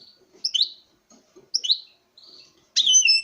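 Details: Male European goldfinch in a breeding setup, singing before a female: three brief liquid twitters with a level nasal buzz between them, ending in a loud, bright trilled flourish.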